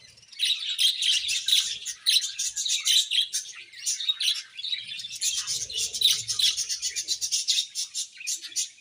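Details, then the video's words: Happy budgerigar colony chirping: a continuous bright wall of rapid, high-pitched twittering and warbling notes from many birds overlapping, steady throughout with little pause. "Budgies Happy Colony Chirping Sounds"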